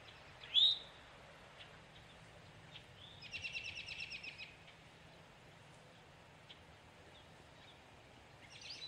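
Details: Warning call of a male Eastern towhee: one loud, sharp, short upslurred note near the start, then a brief buzzy trill from another bird, several soft chips and a steady outdoor background hiss.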